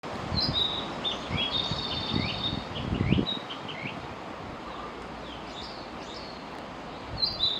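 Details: Singing Narcissus flycatcher, watched through a small gap: a run of clear whistled notes and quick downward slurs over about three seconds, then fainter notes, all over steady broadband hiss and low rumble.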